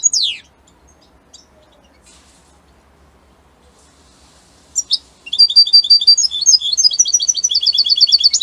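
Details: Italian-type European goldfinch, starting with a single downslurred call and then a long quiet gap. A second call follows, and then a sustained burst of quick, bright, tinkling twitters and buzzy trills.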